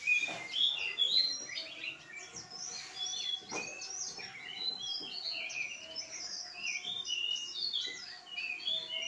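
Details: Pied bushchat (decu) in vigorous, continuous song: a dense stream of high, quick chirps and short trilled whistles, tumbling together without pause over nine seconds.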